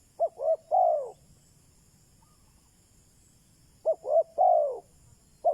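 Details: Three-part cooing from a decoy spotted dove used to lure wild doves: two short hollow coos and a long falling coo, the phrase repeated about every four seconds.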